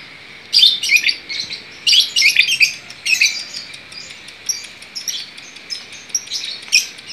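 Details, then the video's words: A long-tailed shrike singing actively in bursts of high, scratchy chattering notes, several quick phrases strung together with short pauses; no other sounds. "cendetnya jadi gacor"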